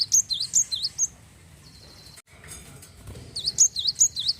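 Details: Java sparrow song to stimulate other birds to sing: a fast burst of high swooping chirps, a thin buzzy trill, a quiet pause, then another run of repeated high chirps at the end.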